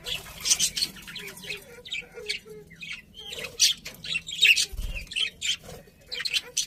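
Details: Budgies chattering steadily, a dense run of short, high, scratchy chirps and squeaks repeated several times a second with brief pauses.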